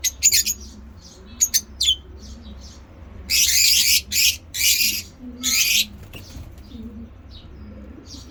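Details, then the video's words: Pet African lovebirds of assorted mutations chatter ngekek-style. Quick, sharp chirps come first, then four long, grating, buzzy squawks, then a few faint notes. "lovebird ngekek"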